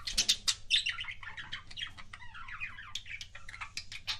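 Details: Budgerigar making so-called kissing sounds: rapid clicks and smacking ticks mixed with a busy stream of warbled chirps and little squeaks, fast and continuous throughout.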